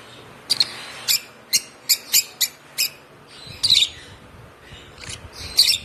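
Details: One-month-old hand-fed African lovebird chick, hand-fed since two weeks of age, giving sharp, high, short chirps in loose bursts, about a dozen in six seconds, with a brief pause midway against a quiet background.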